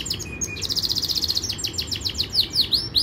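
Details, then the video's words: Yorkshire canary training song with high chirps, then a long fast rattling trill, a series of slower repeated notes, and loud downward-sweeping whistles near the end. A soft low background rumble runs underneath. "Most powerful Canary song | Rasmi Yorkshire canary song | best Canary training song"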